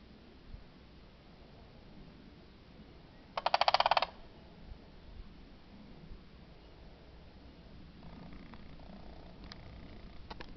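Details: Two sandhill cranes calling in the morning: one loud, rolling, rattling burst under a second long, then quiet with faint later calls and scattered clicks against low background noise.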